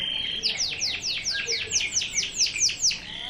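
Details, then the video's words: Pure local canary delivering a sharp 'tembakan' burst song: a fast run of about eleven loud, high whistled notes, each sweeping steeply downward, around four per second, over a faint steady high tone. "Suara kenari lokal 44 detik 2kali tembakan."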